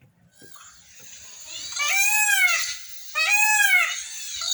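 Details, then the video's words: Indian peafowl (peacock) in Belo Jardim, Pernambuco, Brazil, calling by day or at sunset: two loud, wailing calls about a second apart, each rising then falling in a harsh, nasal arc, over a faint background hiss. "SOM DE PAVÕES CANTANDO, O CANTO DO PAVÃO-peacock sound"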